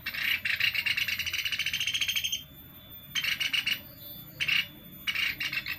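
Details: Sunda pygmy woodpecker call played as a trapping lure; a long dry buzzing rattle followed by shorter rasping bursts, with faint background hum.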